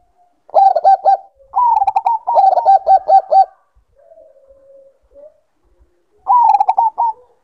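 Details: Zebra dove of Bangkok type in breeding condition, giving several fast cooing phrases of rising and falling staccato notes in close succession, then a pause with faint low coos before another phrase.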